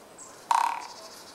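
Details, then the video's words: Japanese pygmy woodpecker drumming, filmed up close on 8 March 2014, with a rather slow drum rate: one short roll of about a dozen rapid knocks, fading over roughly a third of a second, in quiet surroundings. "コゲラ"Dendrocopos kizuki"の鳴き声（ドラミング）"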